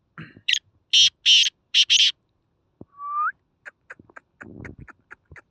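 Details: Black francolin call recorded in Khushab: a short rasp and two long grating notes, then a doubled finish. A clear human whistle and scattered clicks and rustles follow.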